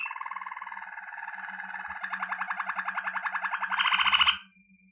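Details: A Waterslager canary sings a training song, a low, rolling, bubbling song of rapid repeated notes that swells and brightens before stopping abruptly, with a faint steady hum behind.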